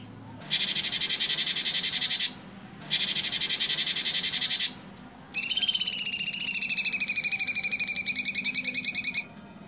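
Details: Blue-winged leafbird (cucak cungkok) tutor recording in 'tembakan' shooting style: two long dense buzzy bursts separated by short gaps, followed by a rapid trill of clear harmonic notes that rises slightly, then falls silent.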